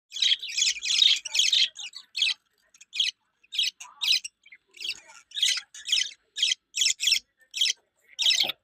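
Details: Two pet budgerigars chattering in quick, scratchy high chirps, bursts following one another with brief pauses.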